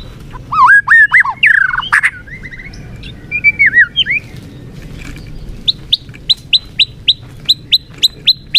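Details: Kept white-rumped shama (murai batu) singing: looping whistled slurs and quick chatter, followed by a steady series of about fourteen sharp high upslurred notes, roughly four per second.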